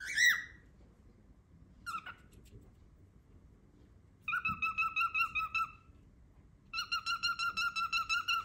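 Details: Pet cockatiel, seemingly trying to voice a word, starts with two sharp single chirps, then delivers two long runs of evenly pulsed whistled notes, roughly ten pulses each, indoors.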